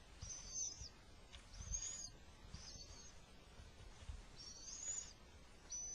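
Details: Little owl scene in spring where the male brings food despite an attack; five thin, high-pitched hissy screeches, some with a whistled edge, repeated roughly every second, with low background rumble.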